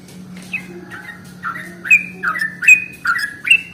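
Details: Sooty-headed bulbul song played as a lure for bulbuls: a run of cheerful whistled phrases, each a quick rising note dropping into a level tone, repeated roughly every second over a steady low hum.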